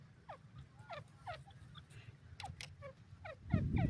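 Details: Dakhni teetar (grey francolin) calling: quick, slurred notes that sweep downward, given in a rapid, uneven series, over a low background rumble, with a louder low noise burst at the end.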